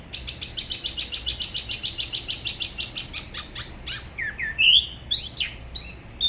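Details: Spot-throated babbler, La Ba river, Da Lat, singing solo: fast even trill of short whistled notes, about four per second, breaking into louder varied slurred and rising whistles.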